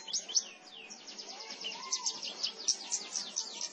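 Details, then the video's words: Javan bush lark from Klaten, Central Java, aged seven months, pouring out a continuous stream of high, rapid downslurred chirps and trills, with a soft low whistle in the background. "Branjangan ‼️Gacor"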